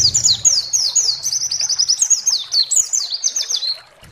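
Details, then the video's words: Pleci (white-eye) lure song used to provoke other white-eyes into singing. A rapid, high, continuous twittering of short descending and sweeping notes runs for about four seconds, then stops abruptly. "SEMUA PLECI GACOR BAKAL EMOSI DAN NGALAS BUKA PARUH"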